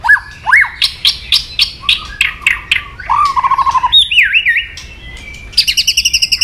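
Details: White-rumped shama song meant to provoke aggression: a varied run of sharp chirps and clear whistles, some rising, some falling slurs, ending in a fast rattling trill of repeated high notes.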